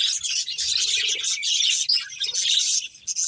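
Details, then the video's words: Budgerigars from a breeding pair and their family produce unbroken, rapid high twittering and chirping, with scratchy warbles and short whistled notes overlapping throughout. "Colourful Budgies Chirping Sounds"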